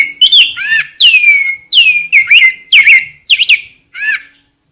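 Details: Rose-breasted grosbeak singing a steady flow of sweet whistled syllables, roughly two per second, several long downslurs mixed with quick up-and-down warbles, fading at the end.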